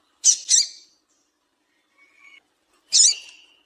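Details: Calls of a female double-collared seedeater, used to excite a male into song: a quick pair of harsh, buzzy high chips, a faint thin note, then one more rasping chip.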